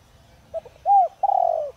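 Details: Spotted dove, a decoy bird of the 'Đồng Rặc' voice type for drawing calls from other doves: brief stuttered notes, a rounded arched coo, then a long slightly trembling falling coo ending the phrase.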